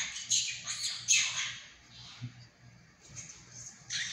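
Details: Pet monk parakeet mimicking Mandarin phrases indoors; shrill, scratchy syllables crowd the first second and a half, then a quieter gap and a final harsh burst, over a low hum.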